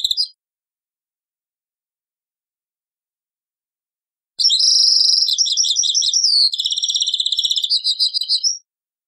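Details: European goldfinch singing in the taqsrain style, from an old cassette: after a long silence comes one sustained phrase of bright, rapid trilling that shifts into a steady pulsed rattle, repeated about three times a second.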